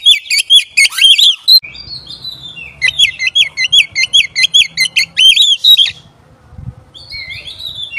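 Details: Oriental magpie-robin lure song meant to provoke rivals: fast runs of looping whistled notes repeated about twice a second, then a rapid buzzy stretch, ending with a short gap and a few falling whistles.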